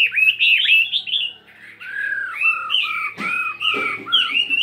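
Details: A 72-gram fighting Chinese hwamei practising in the morning: quick bright whistled loops, then lower, drawn-out mellow notes, interrupted by a couple of sharp clicks.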